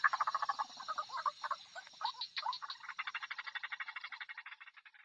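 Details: Lure recording of a female white-breasted waterhen: quieter, uneven chattering croaks at first, then settling into a long train of quick, regular throaty pulses that slowly fade.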